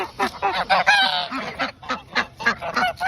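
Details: Geese being given a treat before bed give a string of short nasal honks, one drawn-out call near the start, then clipped honks in rapid series.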